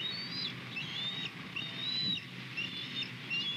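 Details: Osprey calls at a nest camera on Skidaway, recorded on 21 February 2020 at 08:07 in the morning as the male flies in to deliver a fish to the female: a series of high, thin, slurred whistles, some rising and some falling, over a low steady rumble.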